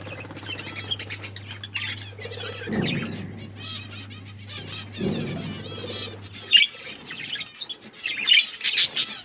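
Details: Pet budgerigars, Australian parrots, chirping while eating food: dense, continuous high chatter of warbled chirps and short squeaky notes, with brief wing-flapping or rustling bursts and a steady low hum through most of the recording.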